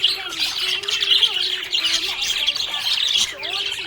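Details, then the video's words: Budgerigar in a happy mood, chirping nonstop: busy, scratchy high chatter mixed with brief squawks and quick warbled notes, overlaid on a faint steady low tone. "Happy budgie chirping sound"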